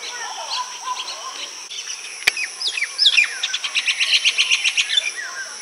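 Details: Baya weaver building a nest and attracting a female; scattered twittering gives way to a fast, even series of sharp ticking notes that speeds into a dry rattle, with a faint steady high hiss behind.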